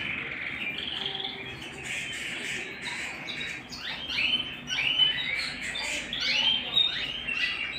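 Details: Canary singing at home: chirpy, twittering high phrases with short slurred notes and brief trills, growing livelier in the second half, over a faint steady background hiss.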